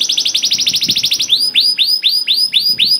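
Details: Cage canary singing to provoke other canaries into song: a rapid run of high descending notes, then slower, separated upswept whistles with bright overtones, about two per second.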